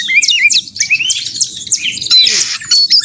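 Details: Caged white-rumped shama song for contest simulation: quick series of sweeping, rising and falling whistled notes repeated several times per second, then a harsh buzzy burst near the end, over faint low hum.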